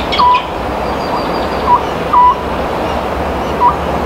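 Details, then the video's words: Oriental scops owl hooting in spring, its two- or three-beat pattern said to foretell the harvest: paired short hollow notes, a clipped note then a longer one, repeated with steady background noise. "Oriental Scops Owl Calling. 풍년과 흉작을 점해주는 소쩍새 노랫소리"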